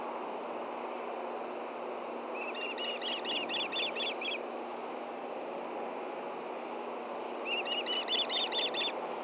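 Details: Osprey pair at a Hellgate Canyon nest in Montana, June 6, 2014, during a fish delivery from male to female; two separate bursts of rapid, high whistled chirps, the second starting after a pause, against a steady rushing background noise.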